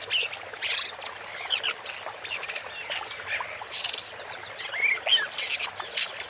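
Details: A woodchat shrike sings continuously in a jumbled, scratchy warble of high chirps, squeaks and short whistles.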